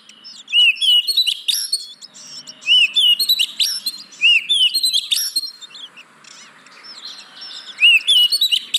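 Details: Kacer song meant to prompt caged oriental magpie-robins to sing: a recurring rising whistled note followed by quick chattering bursts, the phrase repeating roughly every two seconds.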